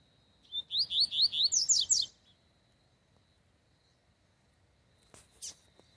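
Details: A rusty-collared seedeater singing heavily during a field song session (campeada) gives a quick run of about eight bright, slurred, high whistles in under two seconds, over a faint steady high tone, then a brief clatter.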